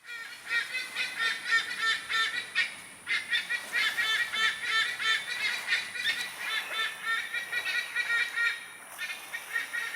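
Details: White-bellied sea eagles, the largest resident raptors in Singapore, in a raucous chorus echoing through a nature park; fast, honking, nasal yelps overlapping continuously, several per second.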